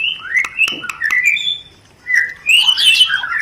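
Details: White-rumped shama singing rencetan, a chattering lure song meant to stir mating desire: bright whistled notes and ticks, a short pause, then a burst of dense, rising, scratchy warbling.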